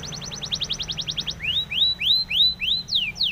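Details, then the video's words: Spanish timbrado canary song used for training canaries: a quick run of short high notes, then slower upward-sweeping whistled notes about three per second, ending with steep falling slurs. "SPANISH TIMBRADO SONG FOR TRAINING - canary training song"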